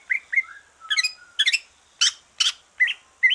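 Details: Relaxed song of a greater green leafbird just out of moult, used to stimulate other birds: short rising whistles alternating with buzzy, harsh chirps, several notes each second, clear and close.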